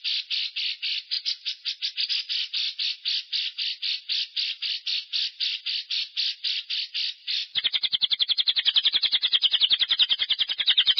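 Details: Long ngekek of a lovebird, meant to stimulate other lovebirds to follow: rasping pulses repeated evenly for several seconds, then quickening into a faster, denser chattering trill near the end.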